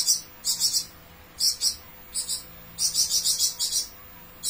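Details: Flamboyan bird in chatty song, giving short harsh buzzing bursts, some doubled or tripled, separated by pauses, over a faint steady hum.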